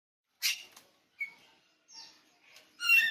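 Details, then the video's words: Oriental magpie-robin, called kacer bali, noted as pupuan, singing in spaced phrases: a harsh buzzy burst, a short clear whistle, a descending slurred note, then a loud rich scratchy flourish at the end. "kicau kacer bali , pupuan."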